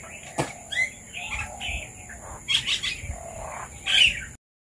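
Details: Red-vented bulbuls visiting to eat papaya: short chirpy, bubbling notes in scattered bursts, with a sharper run of calls near the end and quiet background noise.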